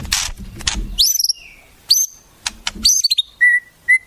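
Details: White-rumped shama song said to carry wild-bird mimicry: scratchy bursts, high sweeping whistles, quick chipping notes and short level whistles.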